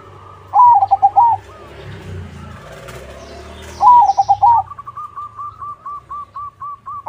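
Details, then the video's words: Zebra dove crossing song to lure other doves to answer: two loud burbling coo phrases three seconds apart, then a long even run of softer repeated coos. "Suara Burung PERKUTUT CROSSING Gacor, Paling ampuh untuk pancingan -Semua perkutut nyaut."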